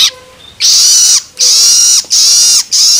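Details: Juvenile long-tailed shrike giving loloan begging calls, used to stimulate adult birds: harsh, raspy, broadband bursts of about half a second, three long loud bursts after a quieter opening with faint tonal notes.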